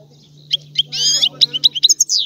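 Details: European goldfinch, Sicilian type, singing an old-style song: a harsh nasal burst followed by quick sharp chirps and a thin descending slur, with a faint steady hum underneath.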